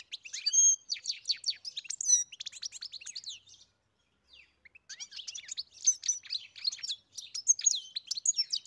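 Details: European goldfinch singing fast, high, jingling twitters and whistled slurs, breaking off for about a second before resuming with another dense burst of chirps.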